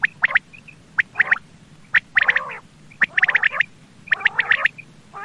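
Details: Common quail (Coturnix coturnix) call from Pakistan, used as a lure for quail hunting: short bursts of sharp, liquid notes repeated about once a second.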